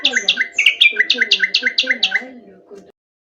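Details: Nightingale song chosen as tutoring material for canaries: about a dozen bright, clipped notes repeated in a steady rapid run, fading out near the end.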